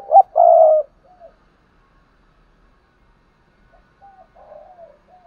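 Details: Spotted dove kept as a lure to train new birds to coo: the end of a loud phrase with a short note and a long steady hoot, then quieter scattered coos after a pause.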